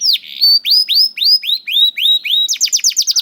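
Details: Young canary (kenari paud) singing a lure song meant to prompt reluctant canaries into song: a series of bright rising whistled slurs, roughly four per second, ending in a fast high trill of clipped notes.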